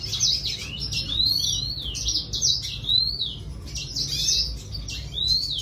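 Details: Singing red siskin delivering quick bursts of high chirps and arching whistled slides, phrases repeated roughly every second, with faint low background hum.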